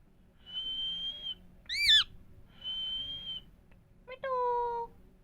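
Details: Indian parrots talking: a steady high whistle, a sharp wavering harmonic squawk, another level whistle, then a downward-stepping harmonic note, against a quiet background.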